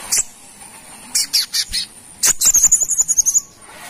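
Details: Sunbird known locally as the coconut sunbird, a brown-throated sunbird from Kalimantan, calling as a lure. Several sharp, clipped high notes, then a rapid, very high rattling trill of about a dozen notes lasting over a second.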